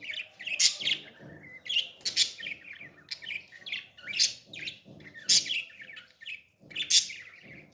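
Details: Baby parrot begging as it is fed, repeating rasping, squeaky chirps in uneven bursts about every second, some doubled, over soft rustling.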